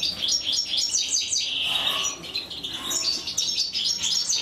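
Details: European goldfinch chicks begging as their mother feeds them: quick high stacked chirps, a brief drawn-out note, then more rapid chirping.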